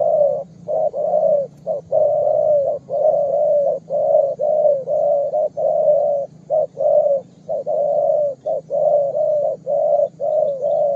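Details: A young spotted dove calls energetically in a series of loud, throaty coo phrases repeated about once a second. Short notes alternate with longer drawn notes in a steady rhythm, and the bird sounds close.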